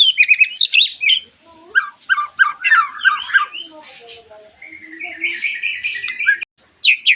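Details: White-rumped shama song played as a lure to make other shamas sing along: loud, rich, fast-changing phrases of whistles, chattering trills and rattling notes, with a brief gap before a final burst.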